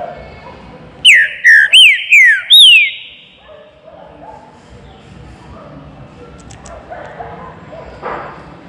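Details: Green-winged saltator singing the baruc style inside a flight cage: five loud, piercing whistles that each slide down, about two per second, followed by low chatter of other birds.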